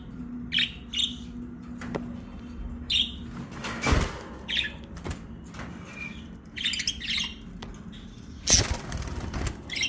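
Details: Fischer's lovebird giving short, shrill, high chirps in scattered bursts, with wing flapping, sharp knocks and thuds, and a steady low hum throughout.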